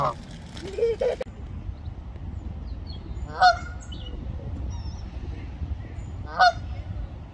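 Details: Canada geese calling, with a couple of honks at the start, then two loud, sharp honks spaced about three seconds apart against a quiet low background.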